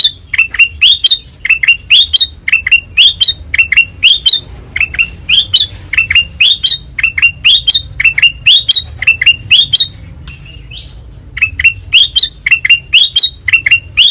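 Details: Ruby-throated bulbul (kutilang emas), white-eyed type, singing nonstop in ngeplong style: long runs of fast, sharp, swooping chirps grouped in phrases, with one pause of about a second midway.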